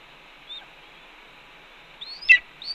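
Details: Red-tailed hawk calling at a Cornell nest while its mate eats a pigeon, 1:29 PM. A faint short whistle, a silence, then two louder rising whistles, the first ending in a rough burst.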